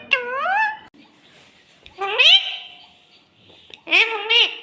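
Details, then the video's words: Pet parrot talking, asking for roti with the words "mitthu ko roti do mummy": three rising, harmonic, voice-like phrases separated by pauses, indoors. "parrot talking mummy mitthu ko roti do"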